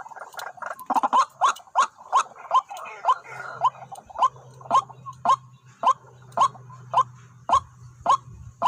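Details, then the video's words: ['White-breasted waterhen calling at a decoy spot that attracted two birds; clipped rising notes repeat roughly twice a second, a few quieter mutters between, over a steady low hum.'] "ต่อ นกกวักหมายเดียวเข้า2ตัว"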